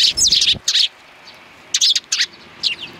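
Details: A group of sparrows recorded on 29 May 2019 makes loud, dense high chirps in two bursts, followed by a single chirp.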